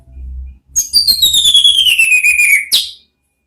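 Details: Orange-headed thrush ngeriwik song used to draw out ngeplong calls: one long, smoothly falling whistle with a fast pulsing flutter, ending in a sharp upward note; a low hum precedes it.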